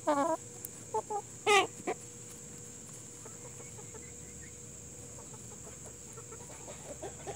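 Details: Plymouth Rock and Hamburg chickens: loud, grating squawks at the start and again after a short pause, then quieter intermittent clucks trailing off, over continuous hiss and a faint steady tone.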